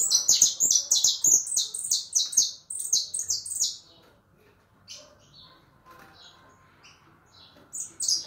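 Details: Leucistic white European goldfinch giving a rapid burst of high, bright, scratchy twitters mixed with clicking notes, then quieter sparse chirps before a final short loud phrase.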